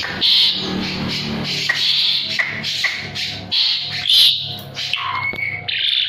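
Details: Asian pied starling, a jalak suren singing energetically. A long, varied run of harsh chatters, squeaky notes and short whistles, including a brief rising whistle near the end.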